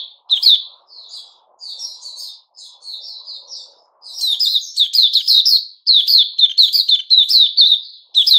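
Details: Sooty-headed bulbul, 10 July 2021: scattered soft warbled notes building into continuous rapid, bubbly chattering phrases, about two per second, with a faint low rumble early on.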